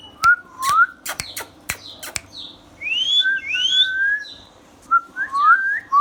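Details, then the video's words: Talking pet ringneck parrot from India, indoors: quick dry clicks and taps at the start, followed by looping whistles that rise and fall, several sharply upswept, in short bursts with brief pauses. "Ringneck Parrot natural sounds"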